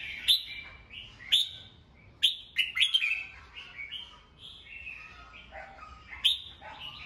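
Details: Red-whiskered bulbul, a captive songbird, singing in the morning, a recording used to train birds' voices and rouse them. Short, bright warbled phrases with sharp clicking notes come roughly every second over a faint steady background hum.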